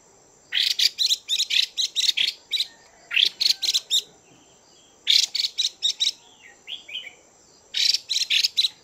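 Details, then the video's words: Female Chinese hwamei in captivity calling to stimulate males: three bouts of fast, harsh, broadband chattering notes, with a few softer twittering notes between bouts and a constant faint high tone. "Chim Hoạ Mi Mái VIP Chùi Kích Bổi Căng Lửa Mái Gột Chiến."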